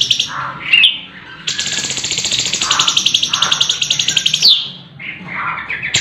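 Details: Sooty-headed bulbul (cucak cungkok) song with varied material, sharp voice, rolling trills and bursts, recorded as training material for contest birds: short whistled notes, then a long buzzy rolling trill for three seconds, ending in bright chirps.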